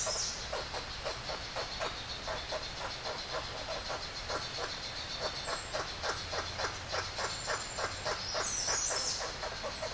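Blue bird-of-paradise giving a steady run of harsh, grating pulses, about three or four per second, with brief thin high notes at the start and end.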